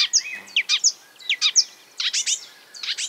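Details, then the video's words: Marsh warbler imitating other birds, a string of short borrowed phrases: sharp high downslurred notes and buzzy chirps in quick, irregular bursts, with brief pauses between clusters. "A marsh warbler (Acrocephalus palustris) imitating other birds"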